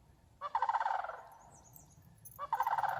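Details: Flock of wild sandhill cranes calling loudly during a morning walk under a thundery sky with a rainbow, September; two loud rolling, rattling bugle bursts about two seconds apart, each lasting under a second, over a quiet background.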